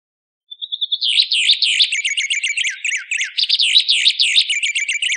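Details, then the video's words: White singer song in a training recording, opening with a thin steady whistle, then a fast, continuous warbled stream of twittering, looping high notes with rapid trills and no pauses; no other sounds. "Masteran Burung White Singer"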